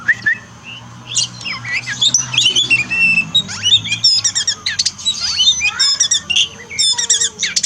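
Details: Oriental magpie-robin singing for a therapy session meant to rouse a pet bird that is lazy to sing after moult: a dense, fast medley of high chirps, rattling trills and whistled slurs, almost continuous.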